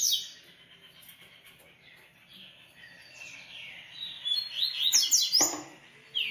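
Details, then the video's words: Double-collared Seedeater, called coleiro, from a Brazilian breeding aviary, opening with a sharp note, then quieter twitters building into quick, shrill slurred whistles, with a loud thump partway through. "Coleiro Artilharia e REVELAÇÃO"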